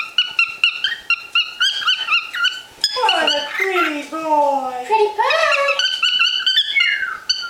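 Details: A male pet cockatiel (Nymphicus hollandicus), unusually excited, gives quick, bright chirps in rapid repeated bursts, broken by a lower, sliding voice.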